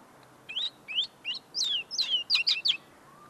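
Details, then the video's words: Close-range song of a tame common linnet still refining its notes: a brief phrase of rising chirps, a longer slurred note and a quick trill of sharp twitters. "pardillo cantando delante de mi"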